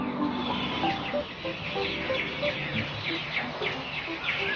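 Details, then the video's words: Birds chirping in a backyard: busy high chirps from several birds overlap, about three notes a second, over a lower tonal hum that may be soft music or clucking hens. "THE BIRD CHIRPING BEAUTIFUL BIRD SOUNDS"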